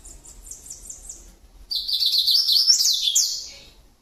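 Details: Double-collared seedeater giving the 'grego tirano' style of song: a run of soft, high, evenly repeated notes, a brief pause, then a loud, fast, buzzy warbled phrase that fades out after about two seconds.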